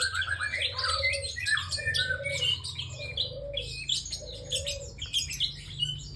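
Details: Bar-winged prinia in energetic song. Rapid scratchy chirps and twittering phrases crowd together, punctuated by a lower slurred note repeated about once a second. A faint continuous hum runs underneath.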